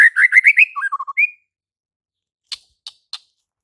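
A White-rumped shama gives a quick run of five rising whistled notes, then three lower clipped notes and a high slur, followed by three sharp dry clicks.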